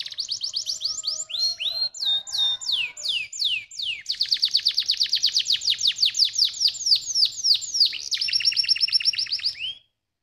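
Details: Canary song meant to stimulate other canaries: rapid descending notes, a run of slower sweeping notes, a long fast trill of downslurs, a brief rattle, and a final rising note.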